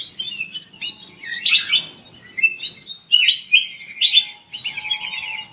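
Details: Lure recording of a Sooty-headed bulbul to trigger a response: a lively run of clear warbled and chirped phrases, some notes trilled, in irregular bursts about every half second, with light background hum.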